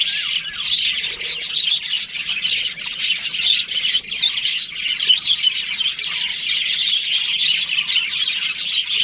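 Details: A breeding colony of budgies in breeding season, loud crowded high chatter of chirps and harsh squawks, pulsing unevenly from many birds.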